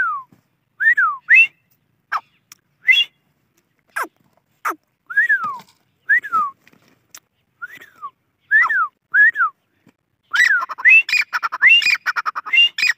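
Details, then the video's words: Grey francolin calls: scattered sharp clicks and short whistled up-and-down notes, then a busier, tumbling burst of overlapping whistles and chatter toward the end. "Teetar ki Boli | Teetar ki Awaj | Dakhni Teetar Ki Awaz"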